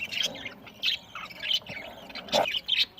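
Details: Budgerigar flock at food on November 1, 2023 in Larkana, Sindh: loud squeaky chirps in bursts about every half second, mixed with softer warbling chatter.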